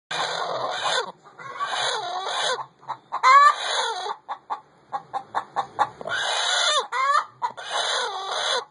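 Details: Chicken calling while laying an egg: long harsh, buzzy squawks, each about a second, alternating with quick runs of short sharp clucks, the pattern repeating twice over nearly nine seconds.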